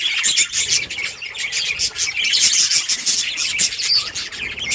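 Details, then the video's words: Budgies, a colony of colourful birds playing, give dense overlapping high chirps and warbles, continuous with no pause, many birds calling together. "budgies beautiful colors playing and chirping sounds for lonely birds"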